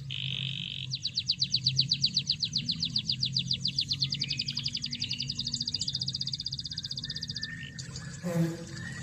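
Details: Canary song meant to provoke a quiet canary to sing: a steady tone, then a long rapid rolling trill of high repeated notes lasting several seconds, over background noise with a brief harsh sound near the end.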